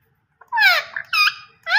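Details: A green rose-ringed (ringneck) parakeet talking, giving three quick, harsh, voice-like bursts, the first sliding downward, in a quiet indoor room.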